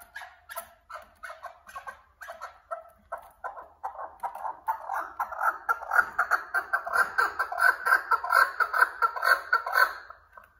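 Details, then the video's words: Partridge uttering repeated raspy chuckling notes in a steady rhythm, growing louder and more insistent toward the middle before tapering off at the end. "صوت حجل"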